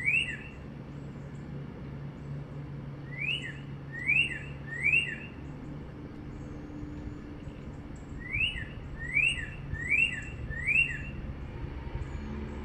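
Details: In sunny North Central Florida in spring 2022, a northern cardinal on a wire sings a lone slurred whistle, then a run of three, then a series of four, with steady low traffic hum beneath.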